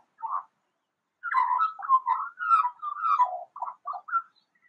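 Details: Eurasian magpie imitating siren sounds: a short mid-pitched note, then a long run of warbling, wavering tones that slide up and down, ending in clipped chattering notes and a brief rising whistle.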